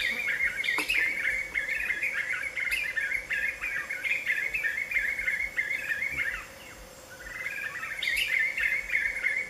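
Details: Black-fronted nunbirds, several perched side by side in late afternoon, singing together loudly: a dense, continuous chorus of rolling, overlapping notes, briefly easing near the end before swelling again, over a faint steady hum.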